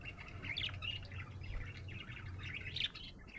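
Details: A happy budgie keeps up soft chirps and warbled chatter over a noticeable low rumbling hum.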